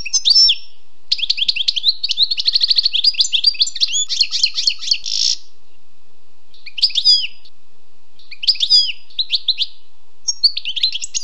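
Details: Wild European goldfinch singing: a long, rapid run of liquid, tinkling twitters and buzzy trills, then shorter twittering bursts separated by pauses. No other sounds stand out.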